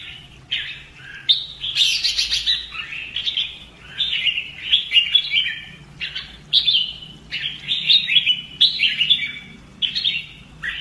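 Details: Red-whiskered bulbul in fighting-song training, a long sequence of clear warbled whistles, one harsh buzzy burst early on, phrases spaced by brief pauses.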